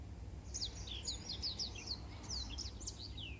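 Black-throated canary giving a fast, high twittering song of thin down-slurred notes and trills, over a steady low background rumble.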